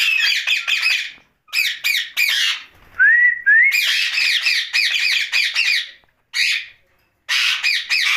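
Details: Night-time talking by a ringneck parakeet: repeated grating chatter phrases with short pauses. Around the midpoint come two smooth rising whistles, then more raspy jabber.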